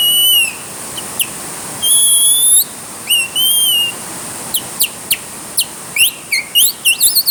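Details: Bird singing while caught in the rain: clear whistled notes, some rising and some falling slurs, with short sharp chirps that quicken toward the end, over a steady hiss.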